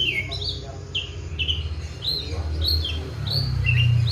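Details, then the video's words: Kept Oriental magpie-robin, fed seven crickets and bathed morning and evening, singing actively: clear whistled notes and short slurred phrases, rising and falling high, repeated in quick succession over a steady low hum. "KACER GACOR PELAN TAPI PASTI"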